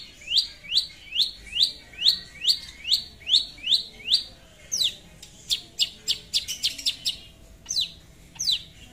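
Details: Long-tailed shrike calling a rival in a lure recording: a quick train of ten rising hooked whistles, then a scratchy burst of sharp clicking notes and two descending sweeps near the end.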